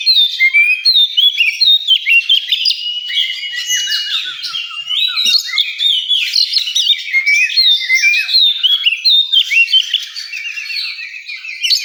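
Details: At a songbird contest site, an oriental magpie-robin sings loud, fast sequences of descending whistled slurs and crisp chips, phrases repeated in rapid, irregular runs.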